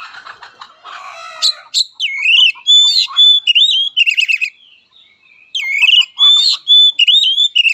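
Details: Oriental magpie-robin in fighting song: a low buzzy chatter opens, then loud rich whistled phrases with slurred rising notes and quick trills come in two bursts split by a brief pause.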